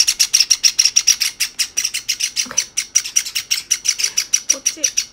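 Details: Two young Java sparrows, a white and a sakura, beg from each other instead of feeding themselves, giving rapid, harsh, high chirps about five or six a second without pause. A few soft lower sounds come faintly.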